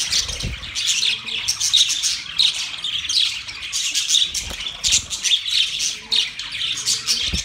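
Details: Budgerigar flock in mating song: constant shrill twitter and harsh squawks in uneven bursts, occasional thumps and brief low hoots in the background.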